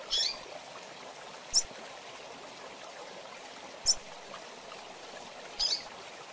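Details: Rusty-collared seedeater "tui tui zel zel" chirps used to train young brown-plumaged birds, with intervals; four brief, high, sharp chirps spaced unevenly over about six seconds against a steady rushing hiss like flowing water.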